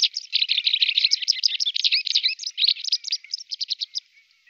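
White wagtail singing a fast, unbroken twitter of high, scratchy chirps for about four seconds, trailing off into a few spaced notes.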